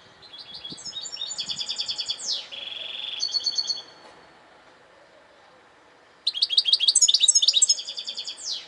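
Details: Saka kuşu nağmeleri, a European goldfinch song made of rhythmic buzzy trills, a sweeping slide, then a steady buzz, a pause, and another dense bout of tinkling, chattering phrases; faint low knocks early on.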